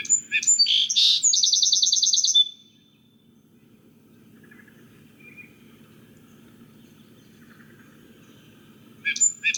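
A Song Sparrow sings a bright, stuttering phrase: a few sharp introductory notes, then a fast buzzy trill, ending abruptly; it starts again at the end.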